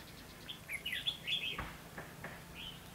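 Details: Red-whiskered bulbul recorded while trapping wild bulbuls with a long-handled trap on 22 October 2016: a quick burst of bright, slurred whistled notes, rising and falling in a jumbled phrase, then a few softer clipped notes against low background hiss.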